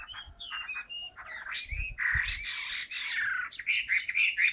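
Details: Caged Chinese hwamei singing in harsh, blurred bursts of loud warbling, short clear whistles at first, then dense rough phrases over a low rumbling background.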